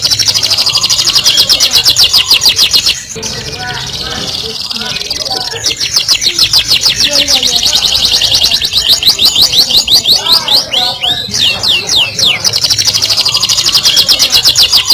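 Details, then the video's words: Canary singing in the chatty tembakan kasar style of rough, rapid bursts: loud, fast high trills repeated in long runs, broken by short pauses, with some faint lower murmuring between phrases. "Suara Burung Kenari Gacor Tembakan Kasar"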